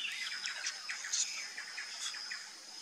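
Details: Sayaca tanager (Thraupis sayaca) song: a quick run of high, thin, squeaky chirps, several notes each second, over a steady faint high hiss, likely insects.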